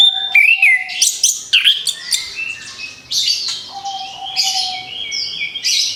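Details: Orange-headed thrush, played to a newly moulted bird to bring back its song: continuous bright, high whistled and chirping phrases, rapid and varied, over long flat lower whistles.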